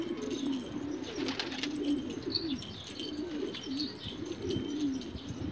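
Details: Several rare Australian pigeons give deep, wavering coos, one after another with little pause, against a soft background hiss and occasional faint chirps.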